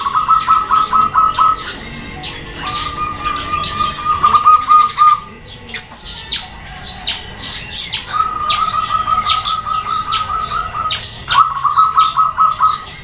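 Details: Female zebra dove calling to draw answers from males and other doves. Several bursts of rapid, pulsed trilling are separated by pauses, with frequent high chirping from other birds throughout.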